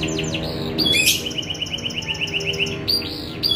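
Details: Young canary in steady song: a brisk run of repeated bright rising notes, framed by high rattling and sweeping phrases, with faint low hum behind.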